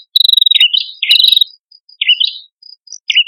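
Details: Male and female prinia (prenjak kepala merah) singing as a lure: opening with a rapid high rattle, then short squeaky buzzy bursts spaced by brief silences.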